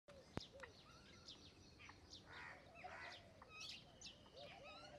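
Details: Common myna calling: a varied mix of harsh chattering notes, short rising whistles and gurgling phrases, with a sharp click near the start and a faint hum behind.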